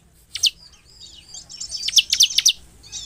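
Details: Bar-winged prinia (Prinia familiaris) in energetic rapid song, a fast, high burst of sharp chirps with short whistled notes between them, about four notes a second, with a faint low hum beneath.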